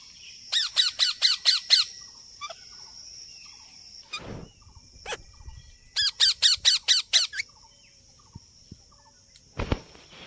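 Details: Parrots in a natural setting giving two bursts of about six harsh, screechy squawks in rapid succession, each burst lasting around a second and a half, with pauses and a few sharp clicks between.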